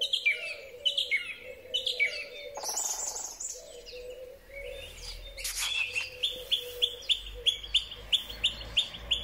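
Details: Song thrush in a spring bird chorus, recorded with a Huawei P30 Pro phone: slurred descending whistles repeated three times, a busy stretch of mixed chirps, then a crisp short note repeated about ten times.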